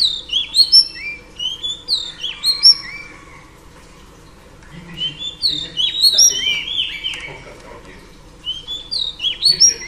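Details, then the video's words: Singing female oriental magpie-robin, used to rouse males: clusters of bright whistles and chirps, a quieter gap mid-clip, then another rich burst of sliding notes, with a low background murmur. "Than mái hót kích trống P3 Oriental Magpie Robin Female"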